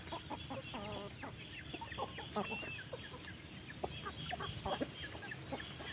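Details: Chickens on a farm during afternoon feeding: a few nasal, harmonic clucks near the start amid a dense chorus of high, short peeping chirps and low background rumble.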